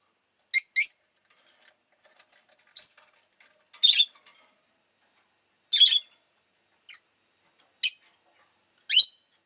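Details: Rosy-faced lovebird making repeated sharp, screechy high chirps, some in quick pairs, spaced roughly one to two seconds apart over nine seconds.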